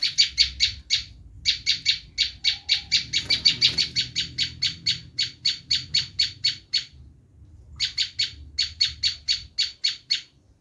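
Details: Screaming call of a Bar-winged prinia, used to attract wild prinias: rapid harsh, scratchy notes repeated almost nonstop for about seven seconds, a brief silence, then another fast burst. Soft low background rumble.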